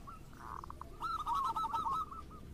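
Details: Zebra dove, local or crossbred, sung as a lure to prompt other doves to sing: a brief rolling trill of quick warbled coo notes over a steady background hiss.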